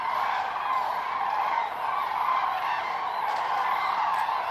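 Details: Common cranes massing at the Milicz Ponds, Poland, in September 2023 call continuously. Many overlapping trumpeting voices blend into one dense, even chorus.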